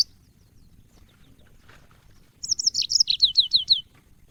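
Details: Yellow-fronted canary in training audio for cage birds, singing after two seconds of near silence: a short high run of about eight quick descending slurred notes.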